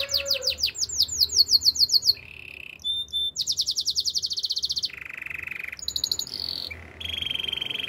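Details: Master canary singing to train others: quick falling whistled sweeps, low rolling trills, a fast metallic rattle of clipped notes, and deeper buzzy tours alternating with high piping phrases.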